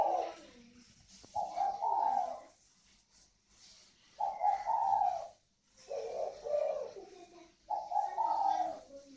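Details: Spotted doves of the northern Vietnamese native type, a kept pair noted for their 'còi vang' ringing call. Four coo phrases follow one another roughly every two seconds, each hoarse and wavering.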